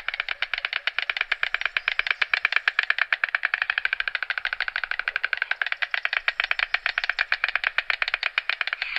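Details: A family of white storks bill-clattering in the wild: a dry, wooden rattle of rapid clacks, about ten a second, running steadily without a break.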